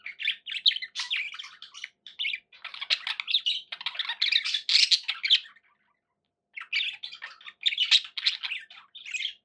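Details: Household budgerigars warble and squawk in long scratchy runs, growing louder mid-phrase, then fall silent for about a second before the chatter resumes.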